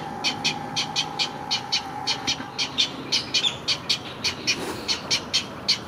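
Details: Great egret chicks at Gatorland, 15 April 2021, begging while a parent feeds them: rapid, harsh ticking calls, several each second, over a faint steady hum.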